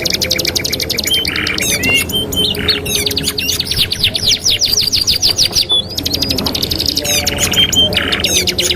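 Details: Canary singing from a 2-in-1 training master: long runs of rapid high trills with scattered whistled slurs and dense buzzy rolls, sustained and loud throughout, with a faint low background hum.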